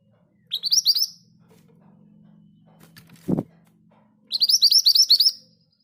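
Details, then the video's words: Scarlet minivet (Pericrocotus flammeus) giving a rolling song in two quick bursts of high, sharp chirping notes, about a dozen per burst, over a low steady hum and one dull knock. "Burung ini mudah bunyi bahkan diombyokan! Suara ngerol dengan speed yang pas. MANTENAN GACOR"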